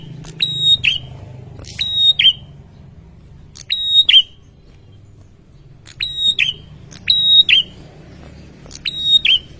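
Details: Persistent song of a male bar-winged prinia, meant to provoke rival males into replying fast. Shrill steady whistles, each opened by a click and closed by a downward flick, come mostly in close pairs over soft low hum.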